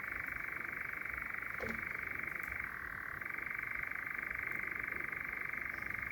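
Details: Nightjars churring at night in Sherwood Forest, one bird very close; a continuous, dry, rapid reeling trill that drops slightly in pitch partway through and then carries on unbroken.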